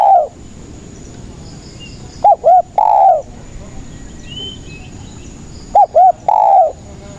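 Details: Spotted dove cooing in vigorous song, played to attract doves to a trap. Two matching phrases about three and a half seconds apart, each a pair of quick bouncing coos and then one long, mellow, falling coo.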